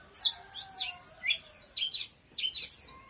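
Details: Oriental magpie-robin in strong song, delivering bursts of bright, high, slurred whistles and quick descending sweeps in groups of three to four phrases separated by brief gaps.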